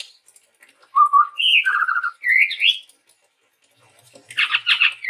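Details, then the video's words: Male chestnut-rumped babbler, a Sumatran forest bird, in full song as used to lure other birds: clear whistled phrases that step upward then slide, followed by a burst of rapid buzzy chattering notes after a short pause. "suara burung tepus tunggir merah gacor"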